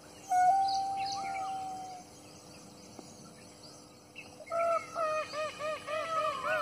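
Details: Peacock dancing in a forest gives a long, steady nasal note, then after a pause a run of about six short, arched honks roughly twice a second, over a faint steady hum.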